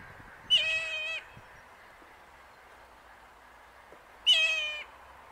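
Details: A Tasmanian nativehen (Tribonyx mortierii) chick, recorded close up in Tasmania, gives two drawn-out, level, reedy calls about four seconds apart, each lasting over half a second, against a quiet background.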